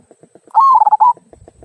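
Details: Local perkutut, or zebra dove, singing in the "kung" style meant to coax other birds into song: a single clear coo phrase, a drawn note breaking into rapid throbbing pulses, with soft regular ticking before and after.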